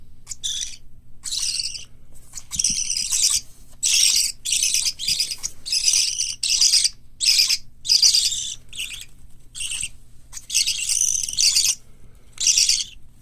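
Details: Hand-reared parakeet chicks (white lovebird, cockatiel, budgerigar) at a Fukuoka bird shop. Harsh, raspy hissing calls repeat steadily, about a dozen bursts roughly every second, each short and scratchy with brief pauses between.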